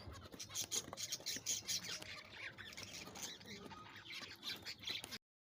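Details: Several breeder finches in a small colony of six pairs, including zebra finches, chatter while courting and pairing: rapid, high, nasal squeaks and squawks overlapping in a busy, continuous jumble with no pause. Recorded 4 December 2022.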